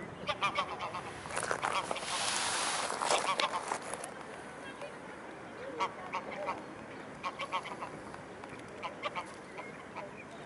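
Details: Nearly one-year-old swan greeting a person who once moved her to this spot by the Blaues Wunder, Dresden, 24 April 2016, showers and sun: bursts of brief honking notes in quick runs, with human voices and a broad rushing noise partway through.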